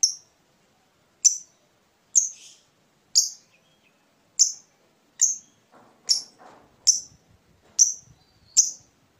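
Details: Caged fighter lovebird in Indonesia uttering sharp, high single chirps spaced roughly one second apart, each a brief downward flick, with a faint soft rustle in the background.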